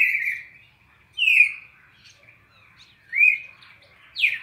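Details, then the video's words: Red-crested cardinal singing a classic 4-note sequence used to tutor captive birds: four clear, slurred whistles, each dropping from high to a steady lower pitch, spaced about a second apart over quiet background. "ÁUDIO PARA ENCARTE DO CARDEAL SEQUÊNCIA MÁQUINA DE CANTO 4 NOTAS CLÁSSICO"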